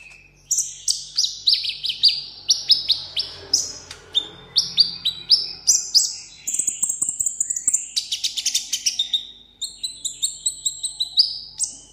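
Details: Caged sunbird kept as a tabletop bird, singing solo in competition style: rapid series of high, sharp descending chirps, then dense buzzy trills and steady high whistled notes, bursts about twice a second, faint low hum behind.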